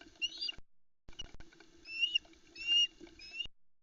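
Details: Female osprey at a Loch Arkaig nest, Scotland, 4 July 2020 around 10am, screeching while unable to reach a trout the male brought because the chicks are in the way: bursts of shrill, upslurred whistled chirps in quick runs, low hum, clicks.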